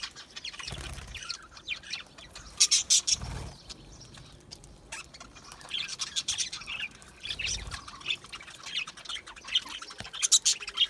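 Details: Budgies chirping in bursts: scattered sharp high tweets swell into busy chattering runs, then thin out, with a few low thumps between.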